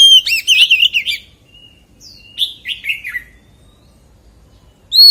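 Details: An Oriental magpie-robin gives a short forest-voice phrase of warbled whistles, then a few scattered quieter sliding notes, and finally a sudden loud whistle at the end.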